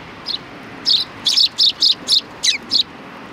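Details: Sparrows at a Tenmangu shrine on 3 July 2020, coming out to greet a visitor: eight short, bright chirps in loose succession, the later ones closely spaced, over a quiet background.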